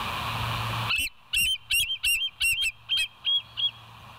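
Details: At the West End nest on a live cam, 29 August 2023 at 07:03, a bald eagle gives a rapid chattering series of shrill, slightly wavering piping notes, about eight in under three seconds, after a steady background hum.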